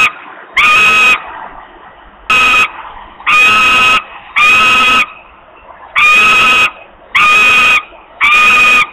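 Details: Osprey fledgling in Poland, 8 August 2021, very hungry and screaming for food before finally flying: a series of harsh, strained screams of varying length, some short and clipped, others drawn out, with irregular gaps.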